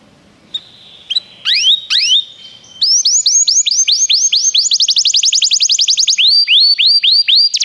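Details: Canary singing, played so a caged canary will sing: a few soft isolated notes, then rising upswept whistles repeated rapidly in a long accelerating series with small shifts in pitch.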